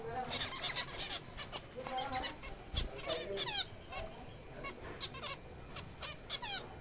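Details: Zebra finches in a breeding colony during April, many birds giving short nasal, honking calls with stacked overtones, overlapping in a busy chatter that runs the whole time over a low background hum.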